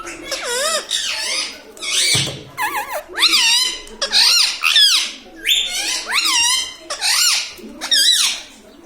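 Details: Talking pet parrot, said to say "mummy papa": a fast run of loud, repeated speech-like syllables with bending harmonics, about one per half second, one low thud partway through.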